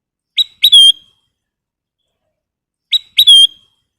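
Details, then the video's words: A very vocal ruby-throated bulbul, known locally as kutilang emas, repeats a crisp phrase twice: a quick pip, two rising notes, and a bright sustained whistle. Silence lies between the phrases. "Kicau Burung Kutilang Emas Gacor"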